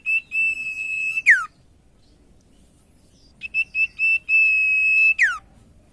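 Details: ['Common iora lure song for getting quiet ioras singing: a couple of short whistles leading into a long level whistle that plunges downward, a silent gap, then the same phrase repeated.']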